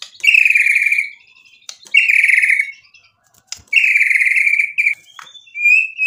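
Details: White-rumped shama giving long, buzzy rasping bursts about a second each, repeated after short pauses, with a few clicks between and a thin whistle at the end.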